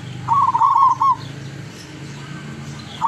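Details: Zebra dove of lurah song class, caught locally in the wild around Tuban, East Java, giving one quick rippling coo phrase lasting under a second, then quiet background hum.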